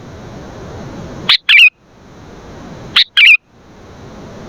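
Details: Sooty-headed bulbul phrases used for training and luring birds: two short bursts about 1.7 seconds apart, each a sharp note followed by a quick warbled, bubbling chirp.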